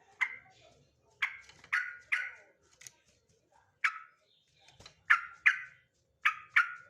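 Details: Male sooty-headed bulbul singing short bubbly, slurred notes in separate bursts about a second apart, with quieter single chirps between them against a quiet background.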